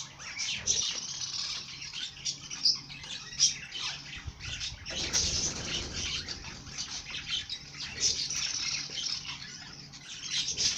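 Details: Bird song: dense, high chirping and twittering, many overlapping notes without pause, with a brief low rumbling noise about halfway through.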